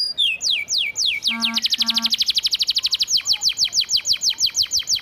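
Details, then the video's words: Canary with a church-style ('isian gereja') filler song on a master vocal for training: sweeping downslurred whistles speed into a fast, even buzzy trill of rapid notes, then slower repeated high downward sweeps. "Kenari Isian Gereja"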